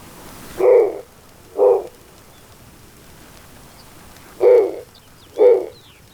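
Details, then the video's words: Snowy owl, which calls rarely, gives four short, gruff, raspy barks in pairs about a second apart, like a distant dog, with faint chirps behind; males use this call to defend territory or communicate with a mate. "Males use this call to defend territory or communicate with a mate."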